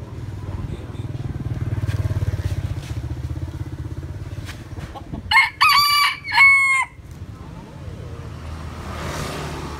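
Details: Rooster crowing: one loud harmonic crow around the middle, rising then held and falling in stepped segments, over a steady low engine or motorcycle rumble.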